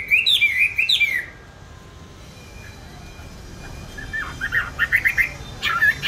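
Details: Caged songbird bought on 19 May 2020, said to sing at any time and place: a short burst of high looping whistles, a quiet pause with faint background hiss, then more chirpy phrases near the end.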